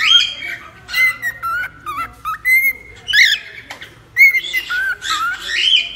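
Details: Cockatiel vocalizing, used to calm and tame a cockatiel: clear, sustained whistled notes that step and slide between pitches, broken by brief chirps and quiet pauses.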